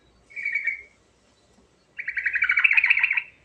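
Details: Sooty-headed bulbul, lively rolling song for stimulating silent bulbuls: one short fluty phrase followed after a second's pause by a richer, chattering rolled trill.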